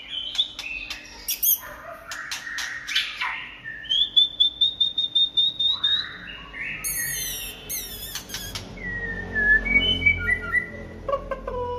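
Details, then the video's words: White-rumped shama singing in the late afternoon: clicks, then a long string of evenly repeated high whistled notes, a chattering passage, and a final series of descending whistles. "Chòe lửa hót chiều muộn"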